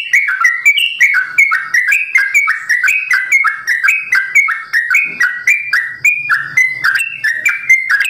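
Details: Sooty-headed bulbul kept on a bird farm, delivering a long, fast 'ropel' song of bright whistled slurs that step up and down in tight succession, with a soft low hum heard now and then.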